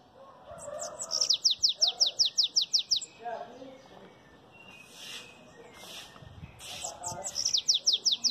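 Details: Two belga chapado phrases from a bananaquit. Each is a run of about ten to twelve rapid, high, descending notes, separated by a pause with low murmuring background sounds and soft bursts.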